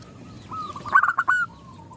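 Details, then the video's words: A single zebra dove cooing phrase as a female calls males and others reply: a low hum swelling into a rapid burst of clipped, pulsing notes, then trailing off into a soft, fading coo. "Perkutut betina memanggil jantan bikin semua perkutut ikut bunyi"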